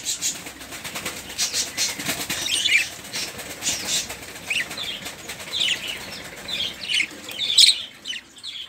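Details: Budgerigar (Melopsittacus undulatus) chatter: busy, scratchy, overlapping bursts of high warbles and chirps with fluttering wing noise; noisy chatter used to prompt silent caged birds to sing or to tutor songbirds such as canaries and magpie-robins.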